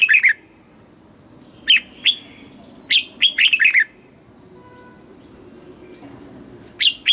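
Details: Red-whiskered bulbul song for rousing caged birds and teaching chicks: clear short warbling phrases of sharp rising and falling notes, separated by quiet pauses, a faint thin tone in the background.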